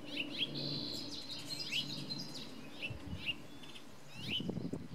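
Costa's hummingbird giving sharp, high ticking chips at irregular intervals, with a brief thin whistle early on, over a steady low background rumble.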